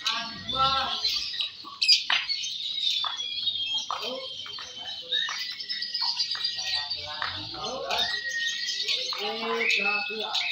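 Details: Lovebirds of the fighter type, M1 and M2 Balibu class, singing during a singing competition: a continuous high, shrill chattering trill with sharp chirps and thin whistled notes, over steady human voices talking nearby.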